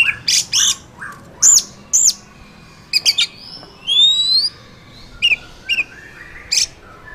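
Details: Wild Oriental magpie-robin, used to provoke a kept bird, giving scattered loud notes: harsh squawky bursts, short chips and a clear rising whistle midway, separated by pauses.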